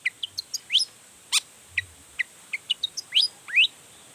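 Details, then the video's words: Long-tailed shrike singing eagerly to provoke rival shrikes into answering. Scattered short high chips mix with upward-sweeping whistles, spaced irregularly over a quiet background. "Cendet Gacor Full Emosi Bongkar Materi Bikin Cendet Lain Langsung Panas Nyaut Ikutan Bunyi"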